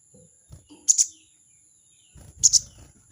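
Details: Calling a rival, a crested jay repeats its scratchy 'crecet' in two doubled bursts about one and a half seconds apart. The grating notes are high and brief, over low thuds and faint background noise.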